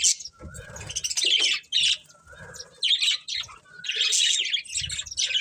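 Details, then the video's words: Budgerigar breeding pair chatters in loud squeaky phrases, several opening with a short lower whistled note before the rapid high twittering. "Colourful Budgies Chirping Sounds | Love Birds Breeding Pair"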